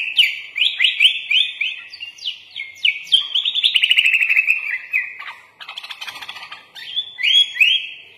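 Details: Kutilang, the sooty-headed bulbul, delivers a gacor 'full isian' master song; a quick series of sharp upward-flicking notes is followed by a fast rattling run, then scattered chips and a final pair of rising whistles.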